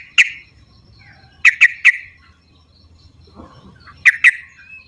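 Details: Yellow-vented bulbul recorded in the wild, used to prompt reluctant caged birds to sing. Bright short chirps come singly and in quick pairs or triplets, separated by quiet gaps, over a faint low hum.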